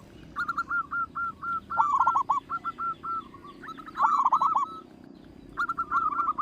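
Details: Big-voiced local zebra dove song meant to draw other doves into singing: several overlapping callers trade fast, rippling coo trills and chains of clipped hooked notes, loud rolls returning every couple of seconds.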